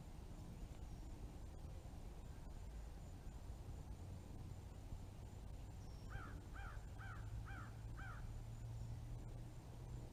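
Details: Red-bellied woodpecker fledgling giving a series of five hoarse, down-slurred calls, about half a second apart, over a steady low rumble of background noise.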